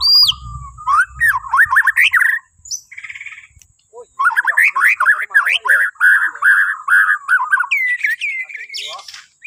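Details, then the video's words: Bornean white-rumped shama song for prompting other birds in the morning: bursts of rapid warbled, chattering phrases broken by a silent gap, with a low rumbling thump near the start. "Kicauan Murai Batu Borneo❗Cocok Buat Pancingan Dipagi Hari"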